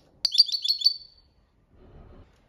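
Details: Goldfinch, copia malaga song: a loud, rapid trill of about six high, ringing notes lasting under a second, followed by a soft low rustle.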